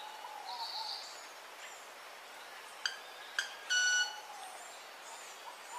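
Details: Painted Manakin (Machaeropterus eckelberryi) from the foothills of southwestern Loreto and northern San Martín, Peru: two sharp, snapping clicks, then a short, nasal, ringing note of about half a second, with faint chirps from other birds behind.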